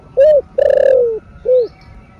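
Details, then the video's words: Spotted dove cooing in the thổ sấm style, used to rouse caged doves: a short arched coo, a long sliding coo that falls slowly, then another short arched coo, all low and mellow against a quiet background. "THỔ SẤM ĐỒNG... RA ĐỒNG... CỤC CÚC CU KÍCH BỔI ( THỔ RỀN )"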